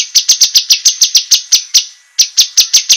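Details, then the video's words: Cucak kinoi sharp master song for competition birds: a quick series of about twelve shrill, high, evenly spaced chips, a brief gap, then five more. "suara masteran cucak kinoi, masteran tajam untuk burung lomba"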